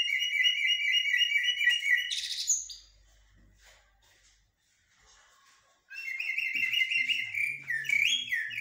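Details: Shahrur, the common blackbird, singing 'blacksmith' and 'military' styles: a long even trill of repeated whistled notes, a harsh burst, a quiet gap, then wavering whistles over a faint low hum.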